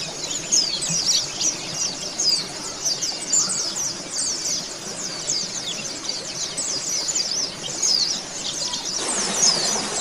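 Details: Oriental white-eye therapy recording meant to speed up singing and beak-opening in kept birds: steady, thin, high twittering with rapid chirps and short whistled slurs throughout. A brief burst of broad rustling noise comes near the end.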